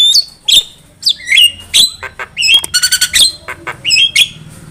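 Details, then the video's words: Javan myna singing as a trapping lure, giving sharp whistled notes that drop in pitch, mixed with harsh rasping bursts and short chirps in a quick irregular string. "Pancingan suara burung jalak kebo gacor masteran burung jalak kebo gacor"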